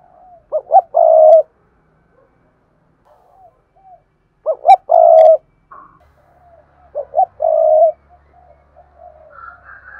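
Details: A lure spotted dove sings urging and calling coos: three phrases, each two quick hoots and a sustained harsh coo, about every three seconds, with faint coos between.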